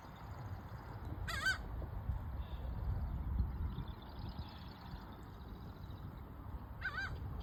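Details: Laughing gull in Georgia giving two loud, harsh, nasal calls rich in overtones, about five and a half seconds apart, over a steady low rumble of background noise.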